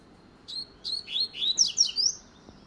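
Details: Double-collared seedeater in a rapid 'luxo' song phrase: a run of high downslurred whistles quickening into tangled, bright trilled notes before stopping.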